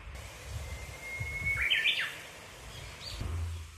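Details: Japanese bush warbler singing at a small, tidy local shrine: a long, steady whistled note, then a quick, bright, tumbling flourish. Faint low rumble underneath.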